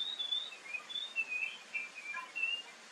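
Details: Oriental magpie-robin song played as a morning and evening lure so other birds reply: a quiet, rambling string of thin whistles and short chirps over steady background hiss.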